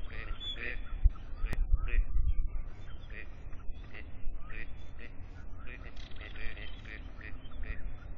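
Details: Several gadwalls give short, croaking, nasal notes in quick irregular bursts, overlapping, over a steady low rumble of wind or traffic.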